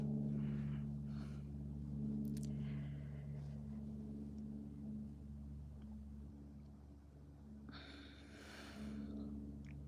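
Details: Steady low engine hum with bursts of rustling or voices and a broad noisy surge near the end, with no animal voice.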